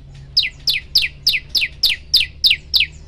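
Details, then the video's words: Prenjak lumut prinia used as a tutor recording for training birds, in a long unbroken burst: sharp high notes that slide downward, repeated about three times a second in a steady series of ten, with a faint low hum behind. "tembakan 40 detik sekali napas masteran prenjak lumut"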